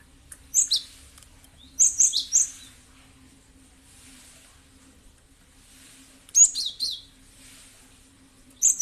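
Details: Gelatik batu, the cinereous tit, played as a lure to draw responses: clusters of bright, high-pitched chirps in bursts of two to four notes, recurring every few seconds, with soft hissy rustling between and a faint hum.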